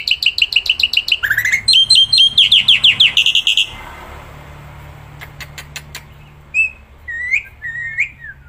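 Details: Black-winged myna, a kept bird singing tirelessly outdoors. A fast run of repeated chattering notes gives way to a cluster of rising whistled phrases, then quiet with a few sharp clicks and short upslurred calls.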